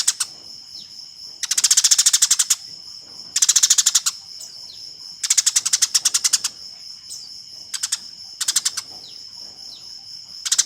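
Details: Eurasian tree sparrow giving fighting calls, a master recording for training competition birds: bursts of rapid harsh chirps, about ten a second, each burst around a second long with short quiet gaps, over a steady thin high whine.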